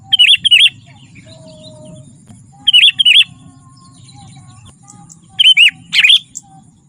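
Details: Sooty-headed bulbul in energetic song for luring wild birds and tutoring captive ones: short bubbly phrases of two or three chirps recurring every couple of seconds, with faint thin whistles between them.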